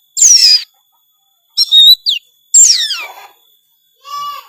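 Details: Kacer, the Oriental magpie-robin, singing gacor with full isian: four loud phrases mixing a falling whistled slur, twittering notes, a long sweeping descending rasp and a short trill, with silent pauses between.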